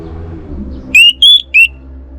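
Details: Caged orange-headed thrush from Singaraja, North Bali, sounding three loud, clear whistles, the first rising, the middle highest and sustained, the last shorter, over a low rumbling background.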